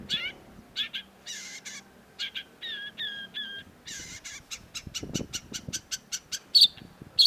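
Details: Long-tailed shrike (cendet) giving harsh, grating buzzy bursts in uneven groups, then a rapid train of dry clicking ticks and two sharp high notes at the end.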